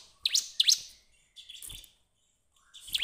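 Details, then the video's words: Bar-winged prinia song used as a lure to draw other birds into singing: a few sharp, steeply rising chirps in quick pairs, then a softer buzzy note and a pause before another bright chirp. "pancingan ciblek terbaik untuk memancing ciblek gacor"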